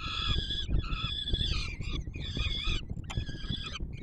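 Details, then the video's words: Peregrine falcon nestlings in Warsaw, Poland, fed by the adult male on 7 July 2022, give strident, buzzy, harmonic screeches in about four long bursts, with a click-like sound near the end and low background rumble. "Franek karmi maluchy"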